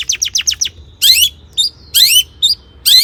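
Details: Long-tailed shrike in full song to excite other shrikes; a quick group of downslurred chirps followed by loud, rising, harsh squeals alternating with short whistled notes.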